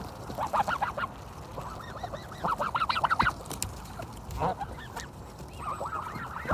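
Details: Canada geese honking at Kirby Muxloe castle in spring, clear bursts of quick, repeated nasal honks from several birds rising and falling against a noisy background.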